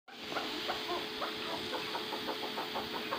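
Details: Chukar partridge, a First Cross Maskati bird, giving a rapid run of short clucking notes in steady rhythm over a constant mechanical hum and engine-like background noise.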